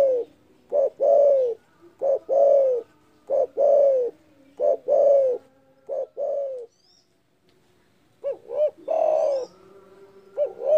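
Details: Vocal spotted dove giving a loud, rival-provoking call: paired hollow coos, short then long and falling, repeated five times, a brief pause, then the phrases resume more softly.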